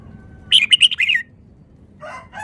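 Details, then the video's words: Red-whiskered bulbul kept in a cage, a Vietnamese bird, gives a quick run of four or five bright, clipped whistled notes, followed by a softer lower warble. "นกกรงหัวจุก จ้าวมาเฮง นกเวียดนาม ร้องรัวรัว"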